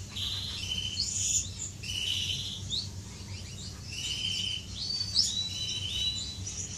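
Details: Finches courting inside an aviary on 10 May 2015, giving high, buzzy chirping phrases in short bursts roughly every second, some with sharp upward notes, over a steady low background hum.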